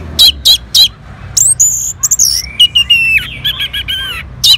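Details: Orange-headed thrush from North Bali, Indonesia, answering a lure sound with loud, varied high song: three sharp repeated notes, then whistled slurs, buzzy bursts and descending trilled phrases, quiet background.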